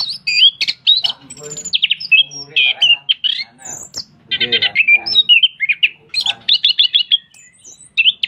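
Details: Energetic song of an orange-headed thrush, tail spread while singing: fast, varied phrases of ringing whistles, buzzy trills and clipped chirps in tight bursts, with a faint low murmur in the background.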